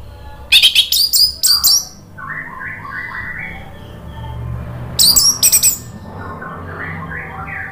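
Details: Orange-headed thrush song meant to stimulate singing: two short loud bursts of high, sharp, rapid notes, and between them quieter, lower warbled phrases from another bird over a faint background hum.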